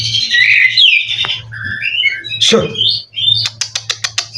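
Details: Mutation white-rumped shama with a fighting-spirit competition song fill: varied high whistled phrases and short slurred notes, then a quick series of sharp ticking notes to finish, over a steady low electrical hum.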